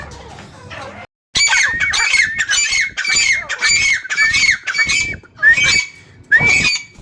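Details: Captive francolins kept at home in Khushab, Soon Valley, giving harsh, squawky calls. The notes repeat rapidly in a steady run of about seven strident bursts, each with a bright ringing upper tone.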